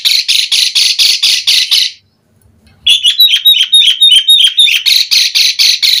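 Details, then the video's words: Asian pied starling in full lively song, played as a lure to prompt starlings to answer: a run of loud rasping bursts, a brief pause, then quick whistled chatter and more harsh repeated bursts. "Suara Jalak Suren Gacor Mompa Buat Pancingan Burung Jalak Auto NYAUT Cepat Gacor Full Isian"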